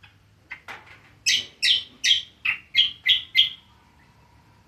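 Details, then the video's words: Cucak kombo, the greater green leafbird, singing ngriwik: a string of loud, scratchy chirps falling in pitch, about three per second, then a brief quiet pause and one closing note. "BURUNG CUCAK KOMBO NGRIWIK PALING ISTIMEWA"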